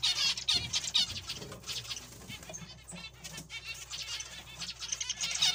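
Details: Zebra finches calling together: a dense chorus of short, nasal, buzzy notes overlapping rapidly and irregularly, with louder bursts at the start and end and a few brief pauses between clusters.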